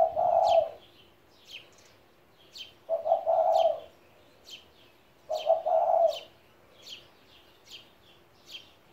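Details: Low, mellow coos from a 17-year-old spotted dove, three phrases spaced nearly three seconds apart, while another bird repeats a sharp high chip at a steady pace throughout.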